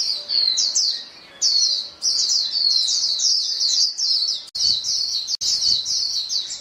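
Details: White-eyes in a flock calling back and forth, a steady stream of high, sharp twittering notes and quick trills that overlap almost without break, with two abrupt short gaps near the end.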